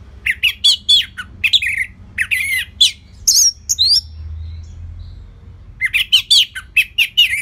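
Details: Orange-headed thrush singing continuously as a lure for other songbirds. Varied phrases run nearly without pause: chattering notes, rising and falling slurs and a few high whistled sweeps, with one brief lull.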